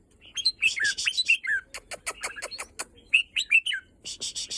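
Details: Red-whiskered bulbul kept in a cage delivers quick rising and falling whistled notes interleaved with dense clicking sounds and buzzy rasping bursts, over a quiet low hum.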